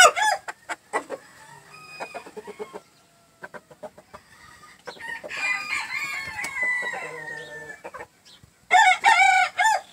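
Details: Gamefowl, a green-legged red and a jumbo pheasant, giving scattered short clucks and clicks, then a drawn-out raspy crow in the middle and a burst of loud, ringing, arched cackling notes near the end.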